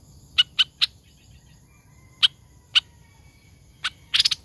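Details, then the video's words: Decoy laughingthrush, a caged hoành hoạch thơm. Scattered sharp, high, piping notes come in small groups separated by pauses, ending in a short rapid flurry. "Hoành Hoạch Thơm Mồi Hót Líu Cực Đỉnh"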